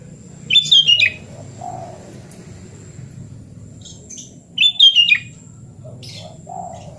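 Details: Sooty-headed bulbul in lively song, giving two short bubbly whistled phrases about four seconds apart, each a quick run of slurred, falling notes, with a soft low hum and faint other chirps behind.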